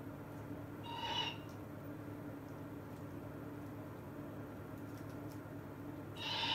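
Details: Captive eagle-owl, American (great horned) or African eagle-owl, keeping a wary distance from the other: two short, harsh hissing screeches about five seconds apart over a low hum.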